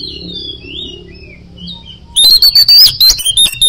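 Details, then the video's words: Oriental magpie-robin (kacer) song, ngoceh gacor style: quiet distant whistles over a low hum, then a sudden loud run of high clear whistled notes broken by rhythmic sharp chips. "Suara Kicau Burung Kacer - Ngoceh Gacor"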